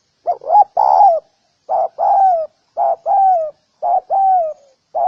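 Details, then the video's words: Spotted dove giving quick repeated coo phrases, each a short soft note followed by a longer, steady, downward-bending coo, about five pairs in five seconds, in a quiet setting. "Spotted_Dove_ki_Awaaz | Amazing call sound effect"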